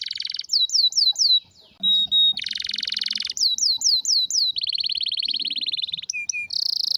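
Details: Canary with a strong, rare song in changing tours: downward whistled slurs, a dense harsh buzzy burst, clean whistles, more slurs, a long rolling trill and brief high notes.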